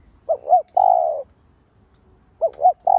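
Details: Spotted dove (cu gáy, cu đất) cooing as a lure call to stimulate other doves: two short hollow coos followed by a longer drawn-out coo, the phrase beginning again after about a second's pause.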